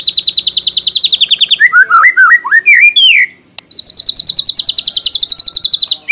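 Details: White-rumped shama (murai batu) song used to provoke a reply: a fast, regular high trill, then a mix of looping whistled slurs, then the rapid trill again.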